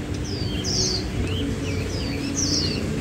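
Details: A warbling white-eye, a five-colour bird in its song season and offered for sale, sings a fast song with many líu notes. High, thin whistled notes and quick slurred chirps come in short bursts over a steady low hum.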